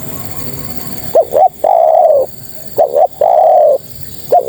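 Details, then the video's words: Female spotted dove calling males: after a low murmur, two phrases of paired quick notes and a long level coo, with the start of a third phrase at the end. "Suara Terkukur Betina Memanggil Jantan"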